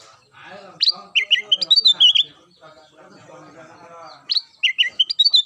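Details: Black-crested bulbul (kutilang emas) in its daily, lively singing: short bursts of loud, fluty whistled notes rising and falling, given in two phrases with a quieter gap between them. Softer low murmuring sounds underneath.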